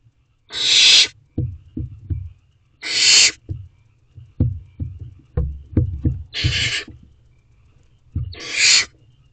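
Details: Barn owl owlet in a nest box at 8:35 pm on 5/7/23, trying to swallow a rabbit whole: four loud, harsh, breathy hissing screeches about two and a half seconds apart, with soft knocks and scuffles in between.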